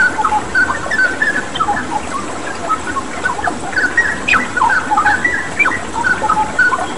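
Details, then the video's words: Straw-headed Bulbul in a tutor recording for cagebirds, with water-sound therapy: rich, bubbling whistled phrases in quick bursts, mid-pitched and fluty, over a steady wash of running water. "Masteran Cucak Rawa Gacor dengan Terapi Air"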